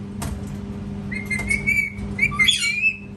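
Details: A parrot whistling: a long level whistle, then a wavering whistle broken by a short squawk and rising notes, over a steady low hum.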